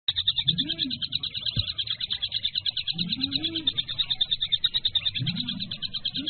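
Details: Kingfisher giving a long, steady run of sharp high notes, about three per second, while a dove coos low in the background every couple of seconds.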